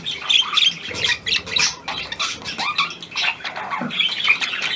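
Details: Recorded 17 February 2023, a newly acquired hand-tame Australian pied budgerigar utters choppy squawks and buzzy, nasal chirps in quick uneven bursts.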